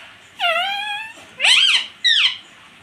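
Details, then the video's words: Talking rose-ringed parakeet, a pet, imitating "mummy" and "papa" indoors: one drawn-out, level, voice-like syllable, then two shorter ones with a sharp rise and fall. "मम्मी - पापा बोलने वाला मिट्टू"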